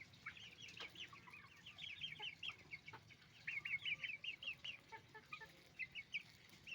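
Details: A flock of roosters and hens on a chicken farm clucks almost nonstop: rapid strings of short, bright, rising notes from several birds, growing denser and louder toward the second half.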